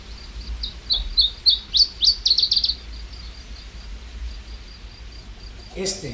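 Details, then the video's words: An Iberian chiffchaff in Urdaibai, early May 2021, sings a high, thin run of sweet notes speeding into a rapid chattering trill that ends abruptly, over faint hiss; its ending distinguishes it from the common chiffchaff. "es el sonido del mosquitero ibérico y ahora vamos a escuchar el mosquitero común."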